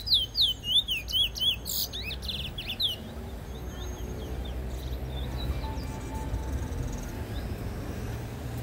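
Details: Black bullfinch song, recorded in 2019: a quick string of high whistled arching notes in the first three seconds, then fading into steady background noise with faint scattered chirps.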